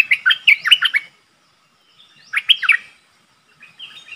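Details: A streak-eared bulbul decoy bird, with a wild flock coming in, gives two quick bursts of sharp, bubbly chirps a second apart, followed by a fainter twitter.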